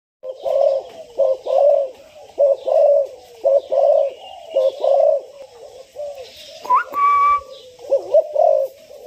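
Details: Spotted dove, a six-month-old bird ready for training, giving a repeated series of deep, rounded coos roughly once a second, with a brief sharp higher note midway and faint chirps in the background.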